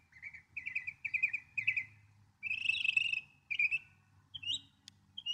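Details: Northern mockingbird repeats a trilled, warbling phrase four times, then bursts into a louder buzzy rattle, followed by a lone trill and a short high note.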